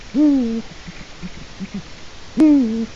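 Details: Eurasian eagle-owl at a nest webcam in Latvia, 4 March 2018 at 16:06; two short hoarse hoots about two seconds apart, each dipping slightly in pitch, with faint low knocks between them.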